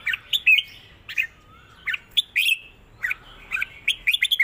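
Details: Red-whiskered bulbul singing a southern-style song: short bright warbled phrases of slurred notes, spaced by brief pauses, with faint background hum.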